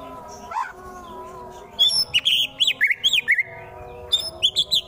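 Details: White-rumped shama song used to provoke rival birds into fighting, from Wonosobo, Central Java: after a faint opening note, a run of loud, sharp, slurred whistled notes and harsh chips in quick bursts, pausing briefly, then resuming.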